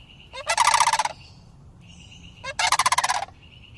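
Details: Two juvenile sandhill cranes, city residents year-round and unafraid of people, come to greet someone, recorded by iPhone; two purring, rattling calls about two seconds apart, with a steady high tone between them.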